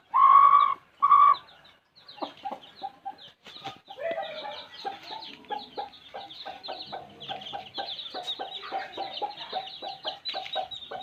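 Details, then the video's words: Two loud, sustained mid-pitched calls open the recording. Then baby chicks take over with a busy chorus of high peeps and short chirps from a village flock. "Baby chicks sound effect"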